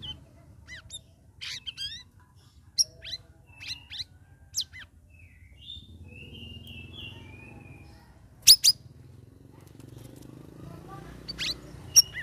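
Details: Sooty-headed bulbul, a caged bird after three weeks of group hanging practice, gives the ngeriwik chattering song: scattered sharp chirps and short rising whistles over several seconds. Later come a few isolated high clicks and a steady low background hum.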